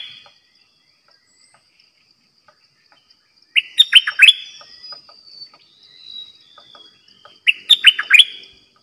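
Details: Decoy bulbul in a cage used for bird trapping sings two bursts of rich, rolling whistled notes about four seconds apart. Softer thin whistles drift in between.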